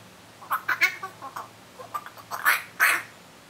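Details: Laughing call of a common myna: a chattering series of harsh, quacking, squawky notes, starting softly and building to two louder, rasping bursts at the end.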